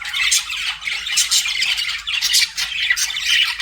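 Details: Chirping budgies in a rapid jumble of scratchy squawks and short warbles, bursts swelling about once a second over steady busy chatter.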